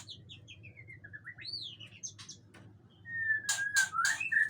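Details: Agitated male Aceh white-rumped shama with long tail sings a descending series of quick whistled notes, then a rising swoop, later a long flat whistle amid loud harsh rasps.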